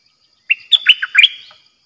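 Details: One lively whistled phrase from a bulbul used as a trapping decoy in a cage: an opening upslur followed by a rapid string of bubbling, dipping notes.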